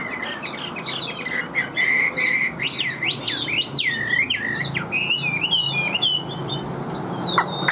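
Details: Chinese hwamei singing steadily from a cage: a dense chain of sharply slurred whistles and jerky note shifts, then a final rising whistle, over low background hum.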